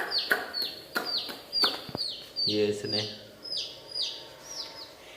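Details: Coloured chicks in a village, high falling peeps repeated about once a second, with knocks early on and a brief low humming tone midway.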